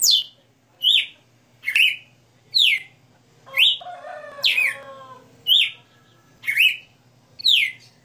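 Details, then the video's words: Galo de campina, a captive Red-cowled cardinal, singing 60 notas: nine loud downward-sliding whistles at close, regular intervals, interrupted midway by a longer, softer layered warbling passage, over a low steady hum. "Galo de Campina 60 NOTAS Cantando Ao vivo"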